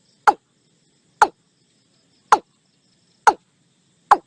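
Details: Five evenly spaced, woody knocking calls of a watercock, roughly one per second, each a brief downward-sliding clack over a quiet background.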